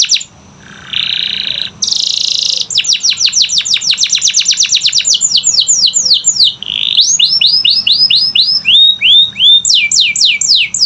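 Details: Canary song used as a lure to get quiet canaries singing: opens with harsh buzzy bursts, then fast runs of descending whistled sweeps, a brief nasal trill, and looping rising-falling notes, loud and continuous.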